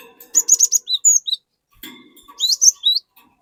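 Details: Singing cinereous tit (glatik batu) meant to spur other glatik to join in; a rapid burst of high clipped whistles with lower downslurred notes, a short silence, then three rising and falling whistled phrases.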